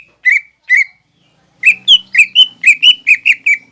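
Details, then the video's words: Lesser green leafbird training song filled with mimicked fighting-sparrow, lovebird and hummingbird sounds: two separate slurred chirps, then a steady run of about nine bright, ringing notes at a quick pace. "MASTERAN CUCAK IJO GACOR BONGKAR ISIAN GEREJA TARUNG,LOVEBIRD,KOLIBRI"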